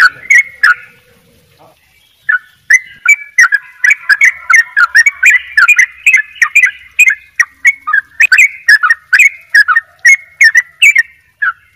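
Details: Fast double ropel song from an actively singing Bali yellow-vented bulbul: after a short pause, dense chattering bursts of bubbly notes pour out almost continuously, some phrases doubled, over a faint low hum at the start.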